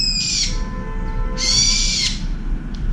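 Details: Angry brown-eared bulbul screaming a shrill, ear-splitting cry at a turtle dove near a windowside feeder; two strident, buzzy screeches, the second longer, with faint low tonal hum beneath.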